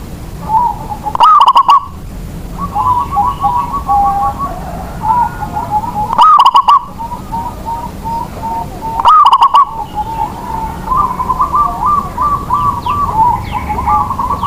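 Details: Zebra dove kept as a lure to get lazy doves singing; three loud stuttering coo bursts spaced several seconds apart, amid many softer overlapping coos from other doves, which grow busier toward the end.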